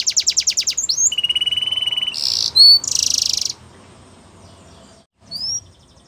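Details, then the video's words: Belgian canary song meant for training young canaries: fast pulsed trill, then a steady buzzy held note, followed by harsh noisy bursts and a brief rising whistle after a pause. "Canary Singing For Training | Belgian Canary Singing"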